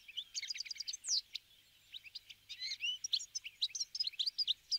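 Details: Bramblings, winter visitors, in a flock taking sunflower seeds at a feeder: rapid overlapping high chirps and upslurred tweets, one brief pause around mid-clip, then busy twittering resumes.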